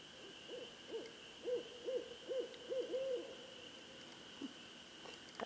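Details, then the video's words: A curious Barred Owl, being called in by a person, gives a rhythmic series of about eight deep hoots ending in a longer drawn-out note, then one lone hoot, over a steady high hum. "Our Barred Owl Friend"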